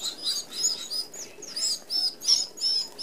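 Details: Red-browed finches, an Australian native, feeding as a flock at an open aviary feeder: high, thin chirps and short squeaky notes in rapid bursts, several birds calling over one another in clusters about every half second.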